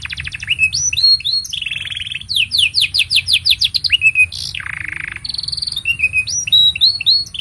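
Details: Canary singing a long song meant as a master for young canaries: trills and whistles, then a rapid series of over a dozen loud rising sweeps, a low buzzy rattle, and varied twittering phrases.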